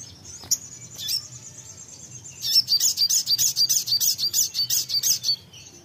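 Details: Songbird answering shortly after playback: a few thin high whistles, then a long, steady series of about fifteen bright, sharp chirps repeated roughly three per second, over a soft low hum.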